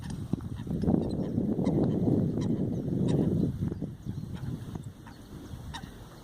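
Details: A busy Eurasian wigeon flock foraging on a pond bank in Eijsder Beemden, Netherlands, on 7 October 2024, among gadwall and coots, gives a dense low murmur of overlapping growling and chattering calls with occasional faint higher notes.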